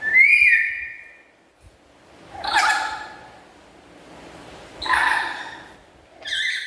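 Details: Captive black-capped lory with a loud, melodious chatter: a bright sliding whistle opens, followed by three grating squawks roughly every two and a half seconds.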